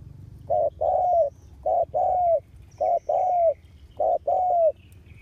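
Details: Decoy spotted dove kept to entice wild doves, recorded August 2021: four rhythmic couplets, each a brief coo then a longer mellow falling coo, about one couplet per second, with faint high twittering behind.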